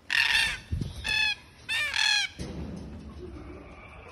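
A cockatoo gives four loud, harsh, raucous screeches in about two seconds, the last two run together, followed by quiet room noise.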